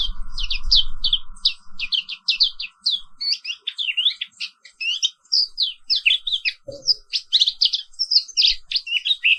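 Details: Morning therapy song of a black-capped white-eye, an Indonesian species, delivered in continuous rolling style: fast sequences of sharp, high, twittering notes, over a low hum at the start and a single dull knock partway through.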